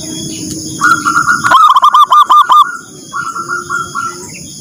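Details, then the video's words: Zebra dove calling in the morning, a call said to spur other birds into song: runs of short, evenly spaced mid-pitched notes, with a louder, pulsed burst in the middle and a faint steady high hum throughout. "Panggilan perkutut pagi , bikin yang lain semangat bunyi"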